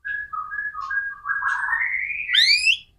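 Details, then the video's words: White-rumped shama in vigorous, nonstop song, played as a lure to prompt other shamas to sing: smooth, sliding whistled notes wavering at a low pitch, then climbing steadily into a bright, rich, higher phrase before fading. "MURAI BATU GACOR"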